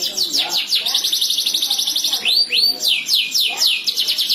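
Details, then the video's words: Canary song exchange, caged birds answering each other with rapid high rolling trills, then a few rising-and-falling whistled slurs and quick repeated down-swept notes. "kenari bersiul sahut menyahut cuitan gacor burung kenari"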